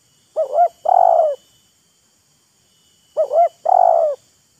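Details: A wild spotted dove and a decoy bird trade calls, each showing off and luring the other. Two clear phrases, each a quick double coo followed by one drawn-out coo, about three seconds apart, on a quiet background.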